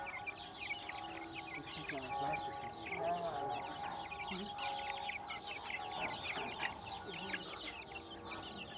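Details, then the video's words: Dense peeping of baby chickens, a continuous wash of high, short chirps with occasional faint low clucks underneath. "Baby Chickens Chirping"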